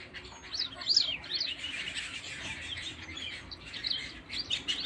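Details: Canaries singing in a busy chorus of overlapping high, twittering trills and chirps, with brief louder bursts around the first second.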